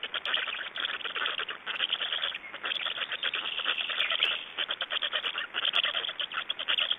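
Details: Black stork nestlings begging during feeding at an Estonian nest, 26 May 2012: a dense, continuous chorus of rapid, raspy pulsed calls, rising and falling in short bursts with brief gaps.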